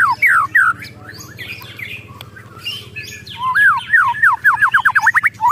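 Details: Agitated white-rumped shama giving ketrekan calls: sliding whistled notes open the passage, then a quick run of about eight looping rising-and-falling notes near the end, each sharply separated, with a low steady hum beneath.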